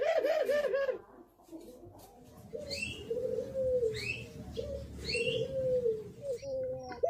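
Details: Spotted dove thổ pháp song for provoking males, females and young birds: a wobbling coo, then a series of low, smooth, arching coos, while other birds add high rising chirps.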